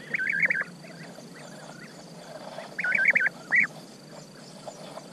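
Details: European bee-eaters giving bursts of fast, rolling, bubbling trills, two loud close bouts separated by quieter distant calls, ending with a single strong purring note.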